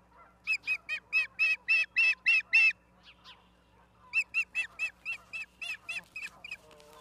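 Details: Osprey on its nest in Charlo, Montana, 17 August 2023, afternoon, heard through a live camera. A fast string of shrill whistled chirps, a brief lull, then a second slightly softer, less even series of the same piping notes.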